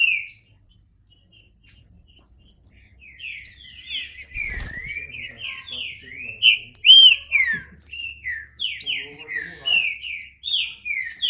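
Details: Green-winged saltator singing: after a quiet start, a long run of rich slurred whistled notes, each sliding downward, delivered rapidly and growing louder toward the end, with a brief thump midway.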